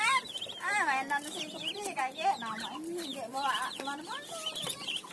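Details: Muscovy ducklings aged one week to one month, at morning feeding, peep constantly in a busy chorus of high, thin chirps, with a person talking.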